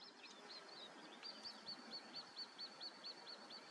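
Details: Common snipe: a steady series of short, high arched notes, each rising and falling, repeated about twice a second through the second half, over a soft hiss of outdoor background noise.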